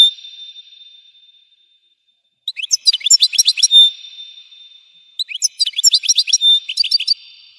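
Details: European goldfinch singing quick, high, chattering twitter phrases in two bursts. A steady thin whistling tone runs beneath the song throughout.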